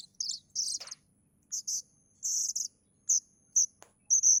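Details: Chick of a plaintive cuckoo giving short, shrill, buzzy calls in uneven groups with gaps, plus a brief click, in a quiet background.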